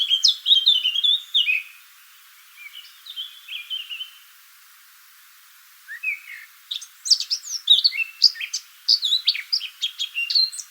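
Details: A Eurasian blackcap sings beside a shaded woodland footpath in the West Sussex countryside: a scratchy, chattering warble building into loud, clear, fluty phrases, rich and varied, repeated in bursts with short pauses.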